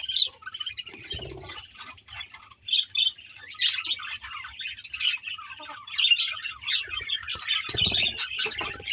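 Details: Several budgies on 24 May 2024 keep up a steady flock chatter of rapid, buzzy chirps and short squawky notes, bursts swelling and fading over about nine seconds, with a couple of soft low thumps.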